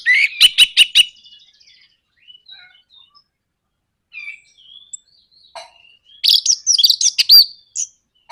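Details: Orange-headed thrush in a 'nraktak konslet' bait song, played to provoke other birds into singing: a burst of rapid harsh high notes, scattered thin whistles, then a loud chattering, warbling phrase near the end.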